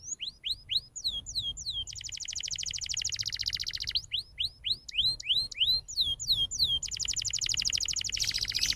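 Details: Canary song for training young canaries: bouncy whistled upsweeps grouped in phrases alternate with long dense buzzy trills, steady and loud throughout.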